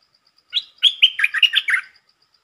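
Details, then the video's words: Red-whiskered bulbul giving a short lure song: a bright opening note, then a quick phrase of rich, bubbling whistles rising and dipping, with faint ticking notes before and after. "เสียงนกดอกแตงEp.150 จ้าวขันเงิน เปิดดอกเร็ว เพลงสั้นๆแต่น่าฟัง Suara pikat merbah lekir"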